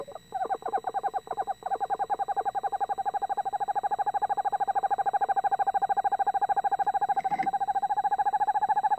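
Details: Male and female Eastern Screech Owls communicating close together inside a nest box; a long, rapid, evenly pulsed trill holds one steady pitch for over nine seconds, with a brief sharp click near the end.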